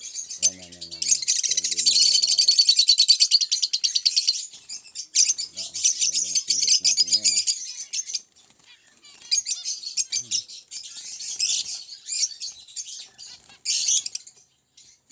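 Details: Orange line o.b. zebra finch giving fast, high, buzzy chirping in long, dense runs that break off into short pauses and then resume, with brief human speech near the start and middle.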